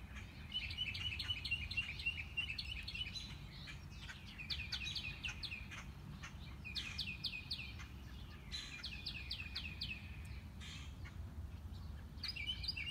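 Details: Mockingbird singing on a morning walk, never spotted, running through its repertoire: bursts of one phrase repeated several times before switching to a new one. The set includes rapid chirps and upswept whistled notes, with low ambient rumble throughout.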